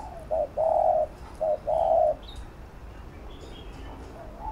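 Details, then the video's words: Spotted dove cooing to stimulate and train a decoy bird: two phrases of a quick note followed by a longer even coo, then near silence with a faint distant chirp. "Cu Gáy THÚC GÙ Siết Bổi Đẳng Cấp/ Kích Mồi Tập Bổi Căng Đét"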